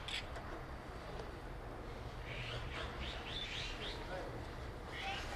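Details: Azure-winged magpie flock visiting a park bird sanctuary on 10 January 2021, in winter beside a frozen pond; a quick run of short buzzy rising-falling notes mid-clip, then another near the end, over steady low rumbling background noise.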